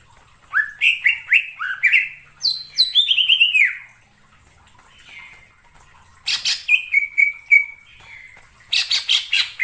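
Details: Greater green leafbird in the wild forest, singing clusters of rising then falling whistles, brief pauses, then harsh buzzy bursts alternating with runs of steady level notes.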